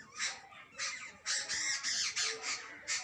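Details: Adult and baby jungle babblers making noisy chattering squawks, harsh rasping notes repeated rapidly about three per second in a loud continuous run.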